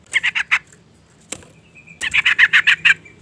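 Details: Sooty-headed bulbul female call used to lure and stimulate males: a short run of four harsh notes, a pause with a sharp click, then a longer fast chattering series of about eight notes.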